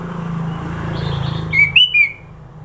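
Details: Sooty-headed bulbul singing a varied song in Sidoarjo, East Java: three clear whistled notes, rising then falling slightly, over a low steady engine-like hum that fades as the notes begin.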